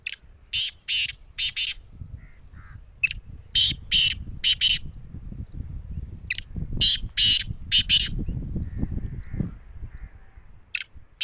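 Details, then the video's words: Black francolin (kala teetar) giving harsh, rasping, very high bursts of sound in short groups of two to four, with pauses of about a second between groups, over a low background rumble. "Kala Teetar Jungle ki bulai"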